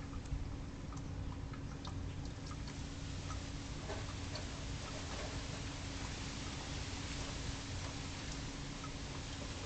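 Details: Quiet scattered ticks and patters like light splashing or raindrops sound over a low steady hum, with no clear animal calls.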